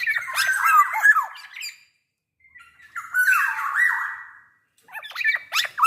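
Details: Actively singing black-naped oriole with a big body, recorded as a lure for other orioles: loud, raspy, nasal phrases with wavering slurred notes, in two long bursts split by a brief pause, then a third starting.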